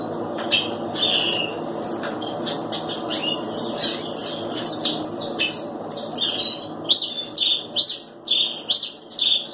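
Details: Red pileated finch giving a busy stream of high chirps and quick rising sweeps. The notes become louder, more evenly spaced two-note phrases toward the end, over a steady low hum.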